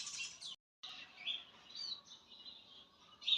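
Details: Quiet outdoor birdsong with thin, high chirps and drawn-out whistled notes over faint background noise, a short gap after the opening burst.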